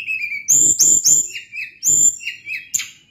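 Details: Sunda blue robin, locally tledekan gunung, in full active song: short, piercing high whistles alternating with lower descending whistled notes, interrupted by brief low thumping or rumbling bursts.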